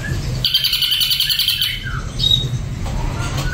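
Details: Ashy drongo delivering a two-second buzzy, rasping trill at high pitch, followed by a couple of short whistled notes over a low hum.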